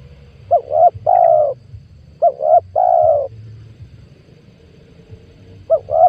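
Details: Lure call of a spotted dove for trapping wild doves, 2022: loud repeated phrases, each a rising double coo then a sustained hollow coo, heard twice in full and starting a third time, over faint low background noise.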